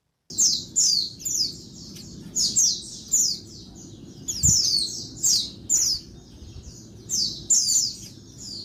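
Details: Female Oriental white-eye, daytime, calling to rouse males: a steady run of shrill, buzzy, descending notes in paired bursts roughly every half second, one dull thump midway, otherwise quiet.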